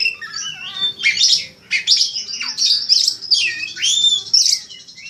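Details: White-rumped shama master song for contests: varied mix of falling whistles, buzzy trills and sharp upswept notes, delivered in fast overlapping phrases with a faint low hum behind.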